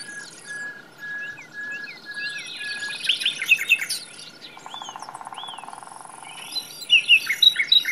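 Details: Common nightingale (Luscinia megarhynchos) singing in a forest: rich, varied song of fast whistles, sharp chirps and a buzzy rattle, phrases changing every second or so, over a steady hum of insects.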